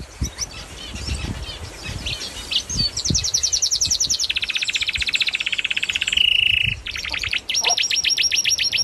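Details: Bird calling while building its nest: scattered high chirps giving way to rapid, rattling trills that shift between pitches, including a brief pure whistled note, with soft rustling beneath.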